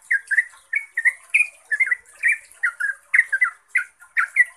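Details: Yellow-vented bulbul in 'gacor' 'ropel' lure song that draws replies from other trucuk: bouncy clusters of rich, slurred chirps, a higher whistled note near the start, and then rhythmic, evenly spaced phrases.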